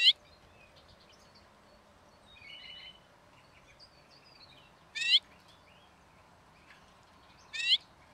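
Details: Lesser redpoll filmed at bird-watching hides in Emmen, Netherlands, giving short, buzzy trilled calls about every two and a half seconds, with faint twittering from other small birds in between.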